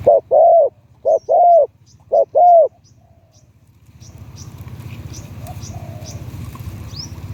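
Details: Spotted dove kept as a decoy for luring, its voice rated medium-to-deep in Thai dove-keeping terms. Three soft, low coo phrases open the recording, followed by rustling noise and faint high chirps from other birds.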